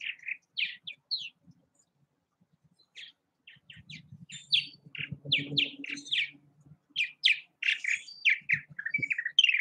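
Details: Purple martins at bird houses in Southwest Missouri: rich, gurgling chirps and croaks in rapid bursts from several overlapping birds, with a low rumble of voices or movement in the middle.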